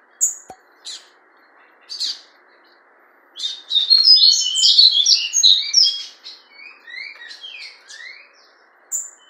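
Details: Captive fawn-coloured double-collared seedeater kept by a hobby breeder, singing: a few sparse high chips, then a dense three-second burst of rapid, sharp, twittering and slurred whistled notes, trailing off into scattered chirps.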